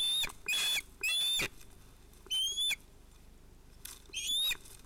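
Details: Osprey at a Finnish nest during an evening fish delivery at sunset, 11 August 2018, with a female and two chicks present: short rising whistled calls in scattered bursts, mixed with rustling and wing flapping.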